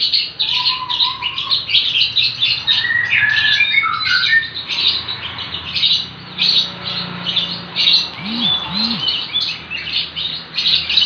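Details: Young lovebird chattering in ngekek style, a busy stream of shrill overlapping chirps with a few longer whistled squeaks early on and a low background hum.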